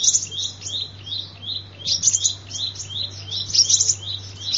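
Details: Sunbird song used as a lure: steady, rapid, high-pitched twittering in short repeated phrases, with a constant low electrical hum underneath.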